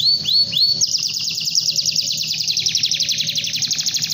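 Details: Canary singing long and loud to call a rival: three quick, high upslurred whistles, then a fast rattling trill that runs on steadily for over three seconds.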